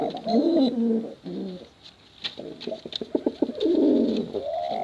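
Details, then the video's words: Male and female contest pigeons cooing densely. Overlapping low warbling coos and short rising notes come with a rapid run of clicking taps in the middle. "Suara Bekuran Burung Merpati Lomba Hutan Dara"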